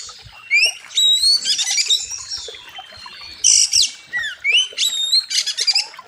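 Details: Oriental magpie-robin (kacer) song for training birds: clear upward-sweeping whistles, a descending slur and dense buzzy rattled bursts, delivered in loud phrases with brief pauses.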